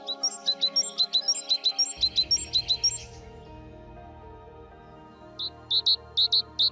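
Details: Great tit at a garden feeding site in Goch, singing quick, repeated high two-note phrases, bright and ringing, then a few more sharp notes after a pause, over steady background music.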